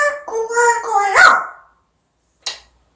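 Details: Pet African grey parrot mimicking speech with a run of steady, voice-like syllables ending in an upward sweep, followed after a pause by a brief sharp click.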